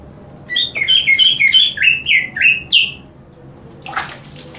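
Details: Green leafbird, kept in a cage and sprayed with water, gives a rapid run of about eight clear, falling whistled notes, roughly three per second, followed by a brief hiss of water spray.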